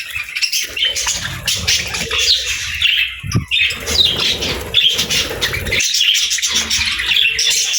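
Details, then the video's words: Happy pet budgerigars chirping: a dense, continuous high chatter of scratchy warbles and short squawks with no clear breaks, and a brief low thump partway through. "Budgie Chirping Sounds: Happy Birds"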